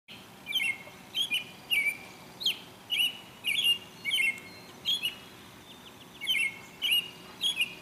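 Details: An American robin at Dufferin Islands sings short, clear caroling phrases, each a quick rising-and-falling whistle, in a steady but uneven series of about two per second.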